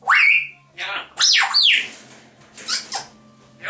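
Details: Two pet grey parrots indoors chatter in a mix of speech-like syllables and squawks, with a few loud rising and falling whistled notes early on, then softer mumbling bursts.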